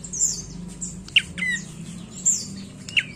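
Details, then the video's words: Brief prinia phrases from a prenjak coki: a bright high chip then a quick falling whistle, given twice, surrounded by loud high-pitched twittering and a low background hum. "Suara Prenjak Coki"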